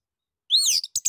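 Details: Orange-headed thrush singing ngeplong to prompt other birds: one brief, loud, slurred whistle followed by two quick scratchy notes.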